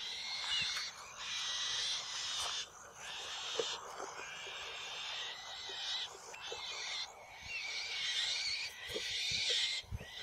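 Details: Black-shouldered kite fledglings squabbling over a mouse near an adult at their perch tree. Repeated hoarse, breathy wheezes run in drawn-out bouts, broken by brief pauses and faint clicks.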